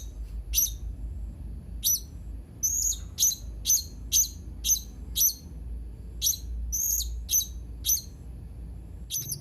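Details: Blue-crowned hanging parrot recorded 31 March 2021, calling with about fifteen shrill, high, clipped chirps, some isolated, others in quick runs of three to five.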